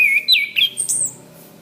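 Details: Orange-headed thrush, master song for training caged birds: a brief bright phrase of wavering whistles climbing to a high thin note, then quiet.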